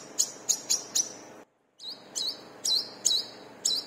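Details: Brown-throated sunbird, played as a training lure for caged birds, gives four quick high chirps, a short gap, then a run of thin, slurred notes.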